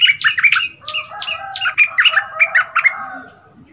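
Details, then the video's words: Bulbul newly in training as a caged decoy, two months in the cage, big voice: a lively string of sharp, repeated chirps and sweeping notes, tumbling quickly for about three seconds. "เสียงนกดอกแตงEp.26 หัดนกต่อตัวใหม่(เจ้าตะวัน)เสียงใหญ่"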